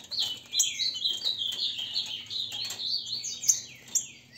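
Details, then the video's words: Captive green-winged saltators in Brazil, kept by a registered breeder, in a contest meant to warm the birds up into singing; dense overlapping high whistled phrases run without pause. "Disputa para ESQUENTAR TRINCA FERRO (Grego mole x boiadeiro)"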